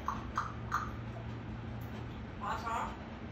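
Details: Talkative African grey parrot, said to reply when questioned: three short clipped chirps in the first second, a pause over a low indoor hum, then a longer voiced, speech-like utterance with stacked tones.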